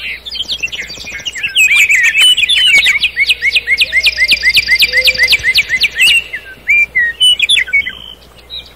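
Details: Nightingale singing at night in a forest: rapid trilled phrases of repeated sharp notes, a long even rattle of clicks, then scattered whistled and chattering notes, with a faint low hum beneath.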